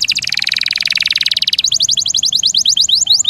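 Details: Canary tutor recording with long rolls: a steady rapid buzzy roll of repeated notes gives way to a quicker series of sharp rising-falling chips.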